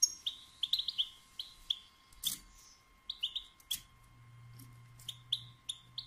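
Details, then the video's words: Batbata chirps from a female European goldfinch, meant to excite males into song and mating: quick paired and tripled high tweets about once a second, interrupted by two loud clicks and a low droning tone. "بتبتة أنثى الحسون"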